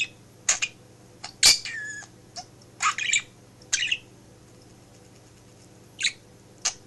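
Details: Household pet budgerigar, male, talking in a home office while its owner works; sharp squawks and scratchy chirps with pauses between, a low mains hum throughout.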